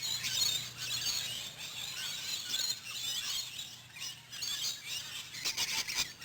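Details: Afternoon feeding of wild rainbow lorikeet flocks at a Queensland campground, bush stone-curlews nearby: many birds give overlapping shrill, high screeches and squeals, with a few sharper clicks near the end.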